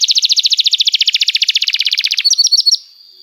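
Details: Canary song for teaching young canaries: a long steady high trill of quick even notes lasting over two seconds, ending in a few clipped chirps and a fading thin tone.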